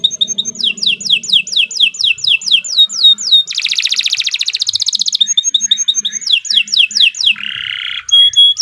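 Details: Long canary song used as a model for other birds: rapid descending whistled notes, a dense buzzy trill at mid-phrase, more quick sweeping phrases, then a harsh nasal burst and a clear high whistle.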